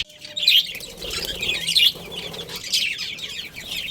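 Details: Budgies kept as a colony with a breeding pair, a busy warbling chatter of scratchy, high notes in swelling waves, loudest around half a second and again near one point eight seconds.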